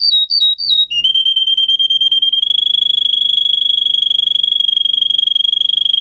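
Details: Singing Russian singer canary, a breed used as a tutor for young canaries, gives a few high warbled notes, then settles into one long, even, rapid trill held steadily for several seconds.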